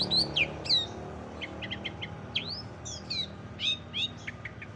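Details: Long-tailed shrike performing mimicked songs of other birds for contest training: a lively, varied run of sharp whistled slurs, rising and falling, delivered in clustered bursts with brief pauses, over faint low hum.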